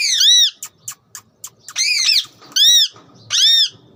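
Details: Pet rose-ringed parakeet giving loud arched squawking calls, four main bursts in about four seconds, separated by soft clicks.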